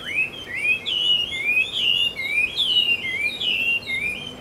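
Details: Taiwan hwamei, recorded 10 October 2013 in Taiwan, pours out a rich, continuous run of loud, slurred whistles, rising and falling phrases of varied shape, with only faint background hiss.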